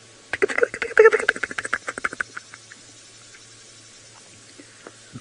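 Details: At sunrise on 30 April in South Africa's Sabi Sand, a White-browed Scrub Robin alarm-calls at a leopard near kudu, a harsh, rapid rattle of dry chattering notes for about two seconds, then scattered ticks trailing off.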